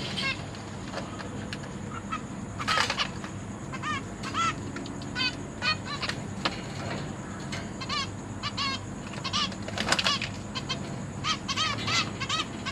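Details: Caged zebra finches: parents feeding three juveniles and three newly hatched chicks. Many short, arched, chirping calls repeat rapidly and overlap from several birds, with soft rustling, brief wing flutters and a steady hum behind.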